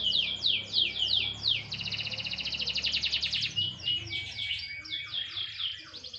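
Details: Sunbathing canary singing quick falling whistles, then a rapid rattling trill of tightly packed high notes lasting about two seconds, returning to slurred sweeps.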